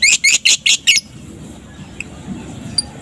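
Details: Five loud, harsh squawking notes in quick succession from a Balibu fighter lovebird in the afternoon, each broad and raspy, followed by near silence with a couple of faint high chips.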